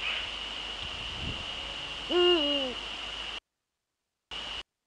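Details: One low, resonant hoot from a male Eurasian eagle-owl, Netherlands, 30 January 2013 at 18:00, steady then falling away over about half a second, after faint knocks, with a continuous thin high tone in the background.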